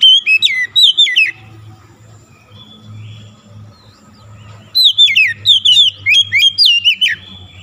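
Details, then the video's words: Oriental magpie-robin singing, played to coax a stressed bird that has stopped singing: rapid clusters of bright whistled notes with sharp falling slurs, a silent gap of about three seconds, then a longer run of loud whistles. "PANCINGAN SANGAT CEPAT MEMULIHKAN KACER SETRES MACET BUNYI LANGSUNG GACOR"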